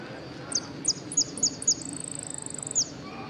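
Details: At a Ciudadela interclub cup singing contest, 8 March 2014, a saffron finch in the 'amarillo sin cierre' class gives five sharp, high, down-slurred notes, a steady fast trill, then one closing slurred note; faint room noise underneath.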